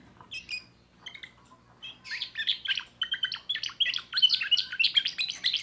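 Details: Young timbrado canary born in 2024, singing a new repertoire: after a few soft scattered chirps, a fast run of bright, sharp notes rolls on at a quick pace, growing louder toward the end.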